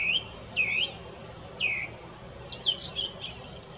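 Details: A song thrush gives three similar down-slurred whistles in turn, then breaks into a fast, chattering run of high, sharp notes.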